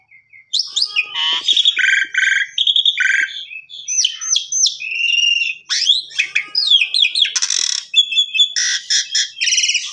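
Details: Asian pied starling song meant to coax singing and serve as a training model for canaries: a dense, fast medley of squeaky whistles, rasping buzzes and clipped chirps, nearly unbroken for about nine seconds after a brief silence.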